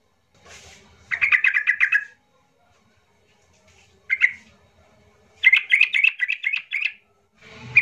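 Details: Yellow-vented bulbul singing to prompt silent birds to join in: rapid bubbling, chattering phrases, a short single burst, then a longer run of gurgling notes.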